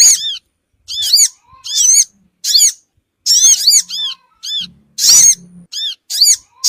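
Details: Sogon lure sound meant to gather small wild birds fast: a series of sharp, high, downward-arched chirps given in quick clusters with short silent pauses, occasional doubled notes and a brief low buzzing hum near the end.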